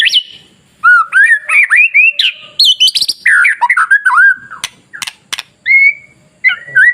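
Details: White-rumped shama song to provoke other shamas into singing: rapid varied whistles, slurs and warbles in a continuous run, broken by loud clicks, ending with separate clear whistles.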